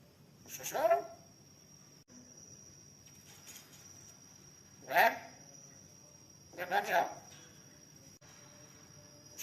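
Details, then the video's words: Black-capped lory talking when hungry, asking for milk: three loud, harsh, voice-like bursts with rising and falling tones, spaced a few seconds apart, over a steady high-pitched whine and low background hum. "Burung Nuri Kepala Hitam bisa ngomong kalau lapar, minta susu"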